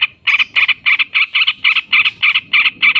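Yellow-vented bulbul in a long chattering run: harsh, even notes repeated about five times a second at a steady pace, with nothing else heard.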